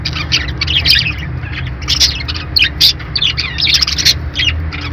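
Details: Dense, continuous budgie chatter: many high chirps and squeaks overlap, as if several birds call at once, over a faint low hum.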